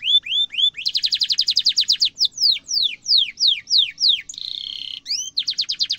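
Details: Singing canary with a sharp roll, said to prompt silent canaries to answer: rising notes, a dense fast trill, downward-swept notes, a harsh buzzy stretch, then renewed rapid trilling.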